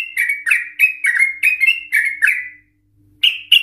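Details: Yellow-vented Bulbul singing emotionally in long ropel, ngikluk fashion as a lure for other bulbuls: a rhythmic chain of about eight liquid, two-toned warbled notes, then a pause and two louder sharp notes.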